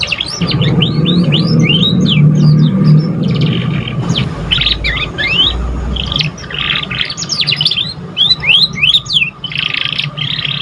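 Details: Juvenile canary still learning its song, played as stimulation for other canaries: long, busy twittering of fast, repeated upward and downward chirps mixed with short buzzy bursts, with a constant low droning hum underneath.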